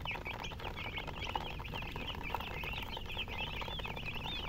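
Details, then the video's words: Baby chickens (murgi) chirping as a group: a dense, continuous stream of shrill, high peeps, many arched and overlapping, with a steady low rumble beneath and a couple of brief clicks. "MURGI Baby "Chicks Chirping" Sound"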